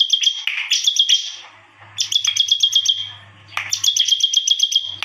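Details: Unusual song of a Bar-winged prinia, with three loud bursts of rapid, evenly pulsed high notes riding a thin whistle, separated by short pauses, while a low electrical hum runs underneath.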